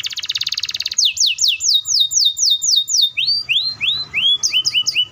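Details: Canary singing a long rapid roll to provoke other canaries: a harsh buzzy trill, then a fast run of descending whistles slowing into rising swoops and quick paired chirps.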